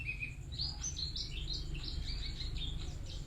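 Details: White-eye kept in a cage gives a lively string of high chirps and short whistled notes, rapid and tumbling, over constant low background hum.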